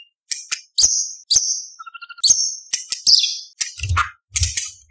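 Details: White-rumped shama (murai batu) singing actively, competition-style song packed with imitated phrases and sharp 'tembakan' shots, meant as tutor material for young spotted birds; short whistled and buzzy high notes separated by pauses, with a few low thumps.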